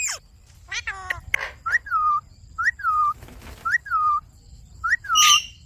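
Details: Pet Indian ringneck parakeet, a green talking parrot, giving a clear whistled phrase that rises sharply, then falls and holds. The phrase repeats about five times at roughly one-second intervals, after a few harsh, scratchy notes at the start.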